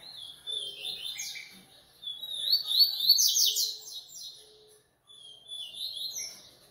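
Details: Coleiro (double-collared seedeater), captive-bred, pouring out a fast, buzzy, rattling song of rapid repeated notes rising to a loud peak, a brief silence, then another quieter twittering phrase.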